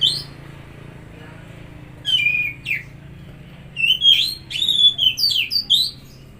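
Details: Stimulus song of an Oriental magpie-robin for a stressed or silent bird: a couple of drawn-out falling whistles, a pause, then a lively string of varied whistled and chirping notes, with steady low background hum.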